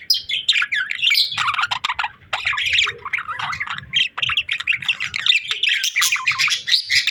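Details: Cheerful pet budgerigars keep up an unbroken stream of warbled chirps, buzzy squawks and rising whistles, several birds chattering together.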